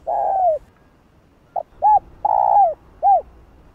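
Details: Cooing spotted dove, played to excite other doves: a long falling coo, then after a pause a clipped note, a short arched note, another long descending coo and a last short arched note, with a quiet background.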